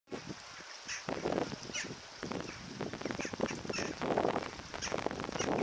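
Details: Water rail on the Bytomka river, Zabrze, on 1 February 2015, giving harsh, grunting squeals in quick irregular bursts, some rising to thin pig-like squeaks, over a steady high background hiss.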